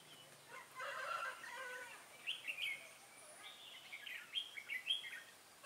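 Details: Red-whiskered bulbul used as a decoy to lure wild birds into a trap, recorded 24 September 2017: short liquid, warbled phrases with bright rising and falling notes, sung in quick bursts after an opening of lower, harsher notes, with faint background hiss.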